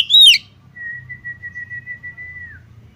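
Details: Oriental magpie-robin female calling for a male, giving one sharp, harsh, downward-slurred note and then a long, level, pure whistle held for nearly two seconds before it dips at the end; faint low background rumble.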